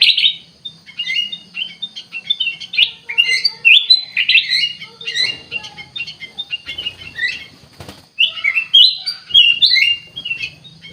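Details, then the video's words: Bulbul, called kutilang emas, singing energetically: rich, rapid chirps and warbling slurs run together in dense phrases, briefly dropping off near the middle before resuming loudly, with a low background hum. "KUTILANG EMAS GACOR COR COR"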